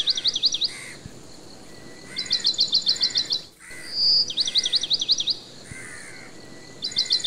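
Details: Young tailorbirds from a nest in a garden: quick bursts of eight or so sharp, high chipping notes, repeated every two seconds, with one clear high whistle between bursts over faint background hiss.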